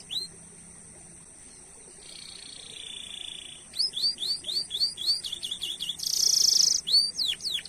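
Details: Chattering canary song used as a training lure to get other canaries singing: a quiet start, then a buzzy band, a run of quick downslurred whistles, a bright harsh burst and more sharp notes.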